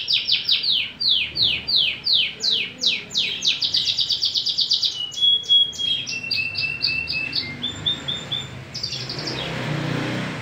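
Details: {'caption': 'Persian (Irani) domestic canary singing a fast, varied song: rapid series of high, sharply downslurred notes, then pulsed buzzy rolls and a few held whistled tones, each phrase repeated several times before switching.'}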